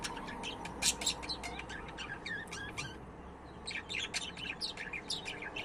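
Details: Budgie chatter, a busy run of quick chirps, clicks and warbled twitters with a brief lull near the middle before the chattering resumes.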